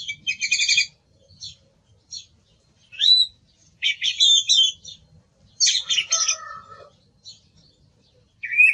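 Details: Song thrush delivering a strongly repeated rattling note group, then separate bright whistles, buzzy chattering phrases and a descending trill, with short silences between phrases.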